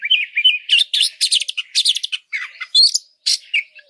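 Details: Oriental magpie-robin singing a training song meant to rile up other birds: quick, varied high twitters and buzzy chirps in close succession, with short gaps between phrases.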